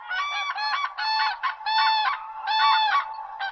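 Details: Cranes trumpeting almost without pause, loud overlapping rolling bugles in quick succession, roughly one burst every second, sounding like more than one bird calling together.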